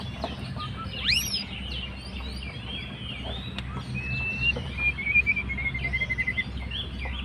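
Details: White-rumped shama, fighter type, provoking a rival: fainter mixed whistles and slurred notes, ending in a long sustained whistle that breaks into a quick stuttering series, over noticeable low background rumble.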